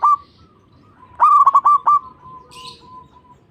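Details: Zebra dove singing, used to stimulate other doves to sing: a brief opening hoot, then a stuttering run of four or five loud clipped notes trailing into a faint, level coo, with a short hiss in the background.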